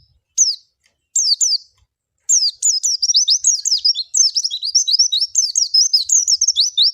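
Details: A Javan white-eye gives a few isolated high chirps, then a sustained, rapid, rambling warble of thin, sliding notes that runs for nearly five seconds. The recording is clean, with no other sounds.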